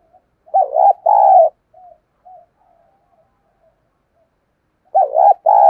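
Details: Decoy spotted dove calling to attract wild doves: a two-part phrase of wobbling then steady low coos, a few soft short notes, then the phrase begins again after about three and a half seconds.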